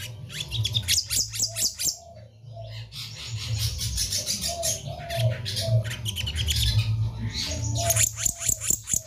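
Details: Kehicap ranting, the black-naped monarch, singing heavily: repeated sharp high notes and bursts of fast staccato phrases run through most of the stretch, partly masked by a loud low droning hum and rumble.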